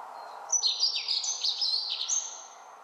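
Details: Male Dunnock, introduced and abundant around Dunedin, New Zealand, singing in the breeding season: a quick, high, jingling warble of about one and a half seconds, thin notes tumbling up and down, over faint hiss.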